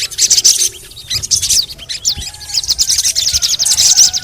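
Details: Sogon (crimson sunbird) in lure audio for singing practice: bright high chirps at first, then a quick run of repeated rising squeaky notes, faint low tones behind.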